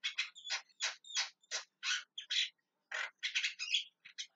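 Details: Javan myna calling insistently, a rapid series of loud harsh squawks and rasping chatters delivered almost without pause, with a few short whistled inflections mixed in.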